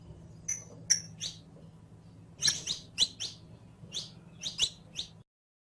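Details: Saffron finch, locally canario criollo, kept as a cage bird for song training; softer scattered high chips and short buzzy notes in loose groups, over a low hum, ending abruptly.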